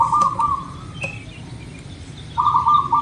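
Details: Zebra dove of local stock, used as a singing lure, gives a purring coo trill that ends early on, a quiet stretch, then another trilled phrase starting near the end, with faint higher chirps.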